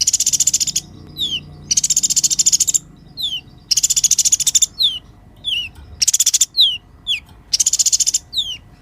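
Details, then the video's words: Sunbird singing energetically as tutor song for other cage songbirds: sizzling high trills lasting about a second alternate with single thin, steeply falling whistled notes, a regular back-and-forth pattern. "KOLIBRI GACOR UNTUK MASTERAN KOLIBRI MACET DAN BURUNG KICAUAN"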